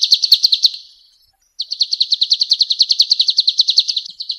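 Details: Male golden-bellied gerygone in full song: a fast, high, ringing trill of crisp repeated notes, a one-second pause, then a longer trill at the same rapid pace, clean and without other sounds.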